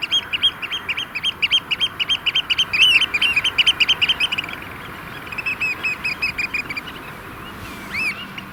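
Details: Some 30 courting Eurasian oystercatchers at a sand-extraction lake in Vriezenveen, barely 5 °C amid rain and hail showers, pipe a fast, shrill run of sharp 'kleep' notes, slowing after a few seconds, over steady rain hiss.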